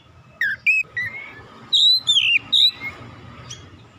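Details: Short whistled notes from an oriental magpie-robin, some rising and some falling, given in brief separate bursts, with a faint steady hum in the background.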